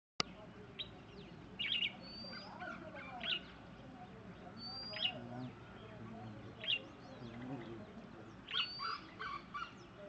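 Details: Red-whiskered bulbul calling with a grey jungle fowl also calling: short, bright chirping bursts every second or two over a low, busy background with a few lower calls.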